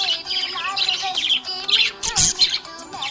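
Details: Happy budgerigar chirping: rapid, bright warbled chirps and short tweets, with a musical melody playing throughout.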